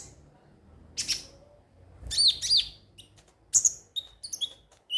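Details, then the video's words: Konin sunbird chirping in a high, thin voice: a few isolated sharp notes, then a pair of quick rising-falling whistles, then scattered high tweets. "pancingan suara burung KONIN agar rajin bunyi tiap hari"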